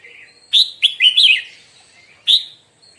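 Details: Morning singing practice by a red-whiskered bulbul: one quick run of four or five clear, lilting whistled notes, then a lone bright note after a short pause.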